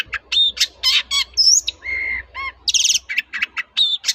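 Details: Long-tailed shrike singing as a lure to draw replies from other shrikes: a dense, fast medley of harsh buzzy bursts, clear whistled slurs and scratchy chatter, with a faint low hum behind.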